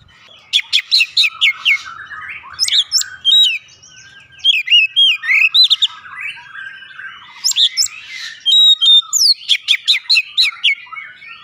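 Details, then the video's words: Oriental magpie-robin song used as a lure to make the bird open its beak and sing; bursts of sharp, high whistled notes and quick slurred chirps come in rapid runs separated by brief softer chatter. "pancingan Kacer langsung buka paruh GACOR"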